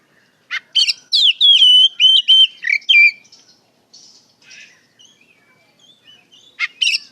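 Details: Lure recording of an Oriental magpie-robin singing openly and steadily (ngeplong gacor) to draw replies from untrained birds: bright sweeping whistles and sharp notes over about two and a half seconds, soft twitters, then a fresh strong phrase.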